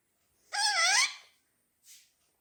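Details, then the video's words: Harsh, wavering squawk, almost a second long, from pet parrots fighting over a football indoors, followed by a brief softer rasp. "parrot fight🥵👆🏻 || mitthu taklu ki fighting for football⚽️"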